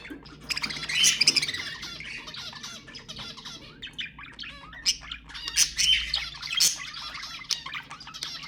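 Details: Budgerigar flock sounds for encouraging mating: nearly continuous harsh squawking and rapid warbled chatter, several birds overlapping, swelling louder around the start and the last few seconds.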